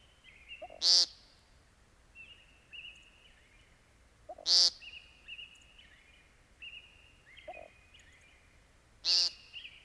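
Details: American Woodcock repeating a brief, loud, nasal buzz three times at about four-second intervals, while faint high whistles from other birds continue throughout.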